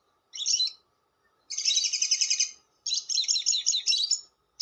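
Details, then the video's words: Lovebird long chatter, ngekek panjang, used for luring: a short harsh burst, then two long high, buzzy, rapidly pulsed rattles separated by a short pause. "SUARA PIKAT BURUNG LOVEBIRD"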